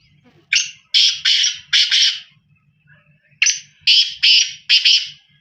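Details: A black francolin calls twice, each phrase made of four or five rasping, buzzy notes delivered rapidly, the phrases about three seconds apart over a faint low hum.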